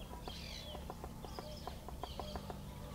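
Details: Rufous-tailed jacamar giving high, thin, slightly buzzy notes, roughly three in quick succession, over constant low rumbling and rhythmic clicking noise.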